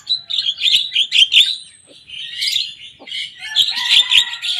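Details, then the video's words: A young Javan myna imitating the songs of rivals, giving bursts of scratchy, high chatter separated by brief pauses, with faint thin whistles underneath and a final rapid, grating flourish. "Jalak kebo muda gacor bongkar suara lawan"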